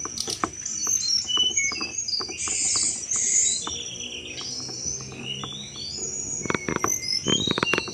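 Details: Sunda robin singing its cetrekan chatter, used to lure thrushes: dense high warbled whistles overlaid with many dry ticking clicks, growing busier with rapid clicking toward the end.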